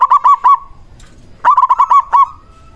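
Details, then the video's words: Local zebra dove used as a lure to make other zebra doves answer. Two bursts of quick, hooked, hollow coo notes, three then five, separated by a short pause, with a faint level tone trailing after. "Perkutut lokal gacor RAJA PIKAT ahlinya bikin semua burung perkutut lain gacor nyaut"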